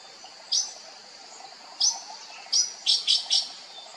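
Sri Lanka blue magpie giving six short, very high, sharp chipping notes, spaced at first and then a quick run of four near the end, over faint background hiss.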